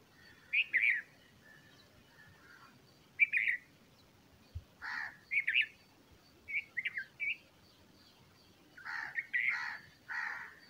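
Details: Bulbul bringing food to its growing chicks; a busy run of short, rich chirping notes, some doubled or tripled, coming in uneven bursts, with one soft low thump midway.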